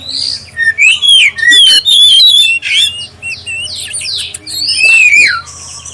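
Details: Black-breasted oriental magpie-robin giving a clear lure song meant to prompt other magpie-robins to sing: loud, varied whistled phrases with rising and falling slurs, rapid chattering notes and sharp downswept whistles, over a faint low electrical hum.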